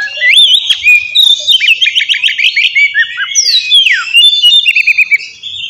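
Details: Oriental magpie-robin singing a fighting song meant to stir aggression and breeding mood; rich whistled phrases, a fast run of repeated bouncing notes, a long downward sweep, then a quick rattling trill.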